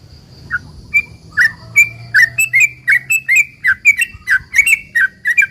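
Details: Sooty-headed bulbul singing a long, lively rambling song used to lure other bulbuls into answering: bright chirped and slurred notes, some rising, some falling, delivered about two or three per second with brief gaps, over a faint low hum.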